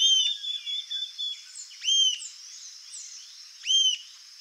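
Rufous-tailed Jacamar giving high, thin whistles, some sharp and inverted-U shaped, about every two seconds, over a steady high insect-like hiss.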